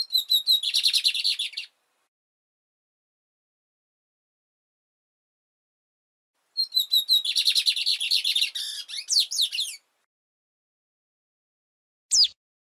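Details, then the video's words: Lined Seedeater giving two long, fast phrases of high, buzzy repeated notes, the second ending in twisting, sliding whistles, with a single short, sharp note near the end. "OS 7 CANTOS MAIS BONITOS E MELHORES DO BIGODINHO"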